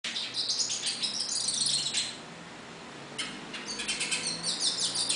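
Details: Hooded siskin singing in the wild: a fast, high twittering of sharp chirps and short trills that breaks off for about a second midway, then resumes.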